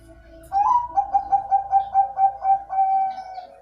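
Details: Zebra dove, a kept bird, cooing: one rising opening note, then about nine soft, evenly spaced short coos, closing on a longer drawn-out coo, calm and mellow in tone.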